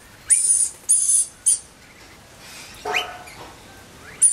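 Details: Rainbow lorikeet chick in spring: harsh, hissing, high-pitched bursts, three close together, then a fainter rasping note and one more short burst near the end, over quiet background.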